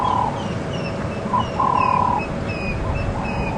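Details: African Grey Hornbill at Djuma Game Reserve, Sabi Sand, South Africa, on a morning safari drive on 16 October 2015, giving plaintive, steady whistles: two short notes, then one drawn-out note of about half a second, over wind and engine rumble.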